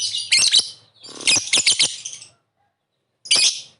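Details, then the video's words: A lovebird calling, used to lure a quick response: dense clusters of rapid, harsh, shrill chirps over two seconds, a pause, then one more sharp screechy burst. "Suara burung Lovebird memanggil di sertai ngetik ngekek pancingan labet cepat respon"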